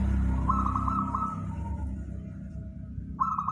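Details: Local wild zebra dove song, used as a lure for trapping birds: soft, rolling trilled coos of even pitch, in two phrases separated by a pause, over low rumbling background noise.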